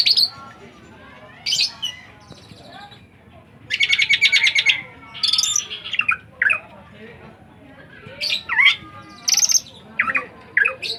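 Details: A bird sings a varied run of high chirps, short trills and sharp whistled notes in bursts, with a buzzy rattling phrase near the middle and quiet pauses between phrases.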